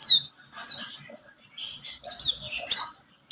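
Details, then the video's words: Pleci buxtomi white-eye used as a lure to make other birds sing: a few high, thin chirping notes and short twittered bursts, separated by a quiet gap of about a second before a denser flurry near the end. "Pancingan pleci buxtomi agar bunyi"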